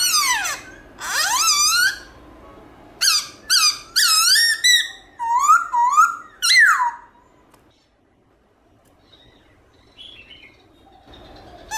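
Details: Morning song of a black-throated laughingthrush in varied forest-voice style: bursts of sweeping, rich whistled notes in quick clusters, then a near-silent pause and a few faint notes.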